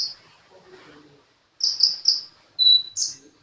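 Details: Sunbird (kolibri) in active song: after a quiet gap, three loud shrill chirps come in quick succession, followed by a smooth level whistle and one final high burst.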